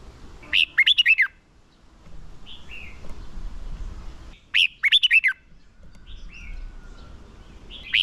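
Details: Decoy red-whiskered bulbul giving fighting song meant to call in wild birds and train contest singers: two short bursts of five or six bright, slurred whistles, separated by quiet gaps with faint distant chirps.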